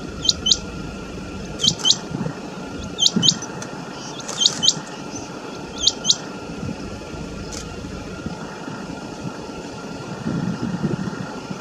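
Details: A rain quail in grassy shrubland at Jhanjrola village, Gurgaon, Haryana, answers another rain quail nearby with sharp, high, doubled notes, a pair roughly every 1.5 seconds, recorded from a car over a low hum.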